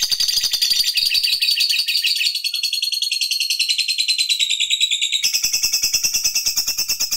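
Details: Fighter lovebird in long 'ngekek' chattering, used to provoke other lovebirds. A continuous, dense, high-pitched rattling chatter runs unbroken for about seven seconds, with a slight shift in tone partway through.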